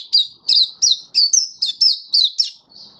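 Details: Happy 'buka' song of an Oriental white-eye (mata puteh), 24 February 2023: nine evenly spaced, clear high chirps about three a second, each a quick downslurred note, ending in a softer trailing note.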